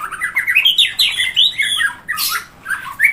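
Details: White-rumped shama (murai batu) singing a varied, rapid run of chirpy, slurred notes rising and falling in mid pitch, then one harsh rasping burst and a closing twitter.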